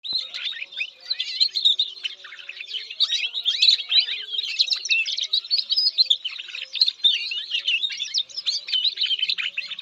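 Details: Canary singing a dense, unbroken warble of rapid high chirps, trills and short slurred notes for nearly ten seconds, with faint low steady tones humming underneath.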